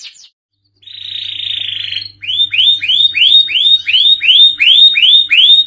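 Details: Canary, song in the cengkok kekinian style: a steady buzzy note lasting about a second, then a run of about ten loud, evenly spaced arched whistles delivered nearly three per second.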